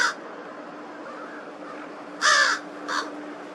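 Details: Crow at Twin Lakes on March 18th, 2023 giving an unusual sound: a clipped note at the start, then a loud harsh half-second caw followed by a shorter, softer one, over a steady low hum.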